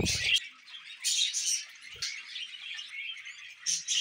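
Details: Budgerigar calls come in bursts of scratchy high chirps and squeaks separated by quieter warbling, with a thump at the start and a click midway.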